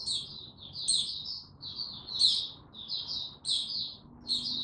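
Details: White-eye male, dated 06-03-2022, building up to open song: short high twittered phrases separated by tiny gaps, each with a thin piercing top note, repeated about every second.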